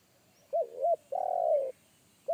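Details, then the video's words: Wild spotted dove in forest giving a big, deep bass 'kuk satu' call, loud enough that a trained decoy dove shied away. Soft wavering coos, then a long sustained hollow coo, starting again at the end, over faint background hiss. "SUARA TEKUKUR INI‼️SUARA BESAR NGEBASS"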